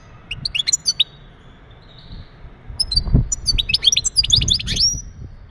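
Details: Male European goldfinch giving mating calls meant to stimulate a female for breeding; two short bursts of high, tinkling twittered notes separated by a quiet gap, with low background rumble.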